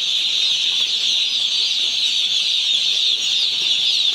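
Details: Day-old farm chicks chirping together, a constant high, shrill peeping chorus with no pauses, steady in loudness throughout.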